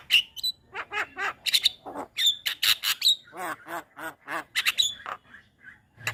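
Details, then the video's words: Javan myna song used to train young birds: varied medley of harsh squawks, sharp whistled notes and nasal chattering, uneven in rhythm with brief pauses. "Suara Burung Jalak Kebo Masteran Untuk Pancingan JAlak Kebo Muda"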